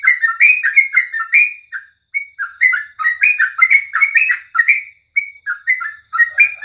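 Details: Sooty-headed Bulbul heard in the morning giving dense clusters of warbled chirps, split by a few short silences, ending with a softer, lower note.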